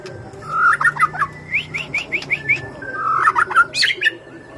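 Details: White-rumped shama song used as a lure for other birds: varied clear whistled phrases, a run of six quick rising slurred notes in the middle, then low warbling notes ending in a high, sharp flourish; faint steady hum behind.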